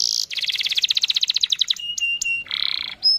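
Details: Canary singing to provoke other canaries into song: a high buzzy note, then a rapid even trill of about twenty pulses, a few clear whistles, and a short buzzy burst near the end.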